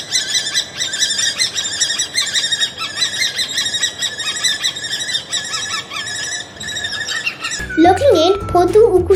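Shrill, ringing kee-kee notes from a Common Kestrel, repeated in quick runs for about seven seconds, then a man's voice begins speaking.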